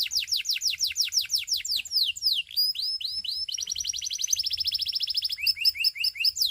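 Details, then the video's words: Canary in full song, a continuous run of quick sweeping notes shifting between trills of different speeds, with bright rising whistles and a dense rattling tour toward the end. "The Russian Canary Invites All Canaries to Sing"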